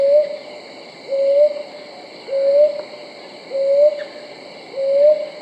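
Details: A brown hawk owl gives five soft, slightly rising hoots at a regular pace of about one per 1.2 seconds, with a persistent high insect buzz in the background.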